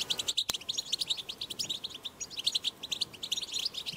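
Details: European goldfinch in the wild giving its powerful batbata twitter, meant to prompt goldfinches to sing: rapid, densely packed high chirps and jingling notes throughout, with one brief sharp click near the start.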